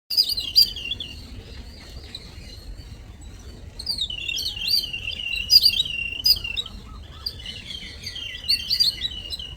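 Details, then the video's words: Weaver birds visiting in the morning, chirping: bursts of high, rapid twittering and buzzy chattering notes, several birds overlapping, separated by brief pauses, in otherwise quiet surroundings. "Birds sound/birds sound effects/little birds sound/morning visitors"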